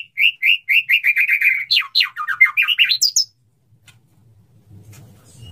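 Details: Courting male white-rumped shama calling to a female: a quick series of short upslurred whistles, then a tumbling burst of sharp varied notes ending high, followed by low rumbling background noise.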